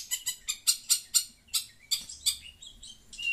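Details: Long-tailed shrike, chattering noisily as it hears sound from a phone: a rapid run of harsh, broadband chattering notes, about ten bursts in quick succession, fading into softer scratchy notes toward the end.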